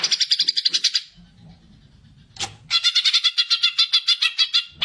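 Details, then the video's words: Greater green leafbird in fighting song, used to stimulate other caged birds to sing: rapid strings of bright, chattering harmonic notes, about three or four a second, broken by a short pause and a low rumble. "cucak ijo gacor figter cocak untuk pancingan burung bahan ombyokan atau muda huta"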